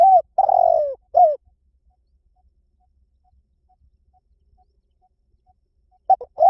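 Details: A spotted dove cooing tirelessly, used to excite decoy birds. One phrase of short arched coos and a long falling tremulous coo is followed by about five seconds of near silence, then the first notes of the next phrase.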